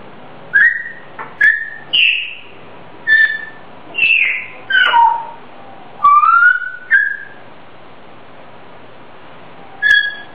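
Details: A pet grey parrot whistles its own self-made tune: a string of clear whistled notes, some rising and some falling or sliding down, with a lively rhythm. After a pause near the end there is one last whistle.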